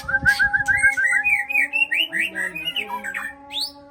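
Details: White-rumped shama singing a fast sequence of bright whistled notes that climb gradually in pitch, then break into varied slurred phrases and a high upward sweep, with a constant low hum underneath.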